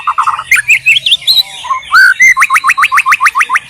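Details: Wild white-rumped shama in Indonesia, its song opening with low whistles and slurred rising notes, then breaking into a quick series of about ten identical upswept notes.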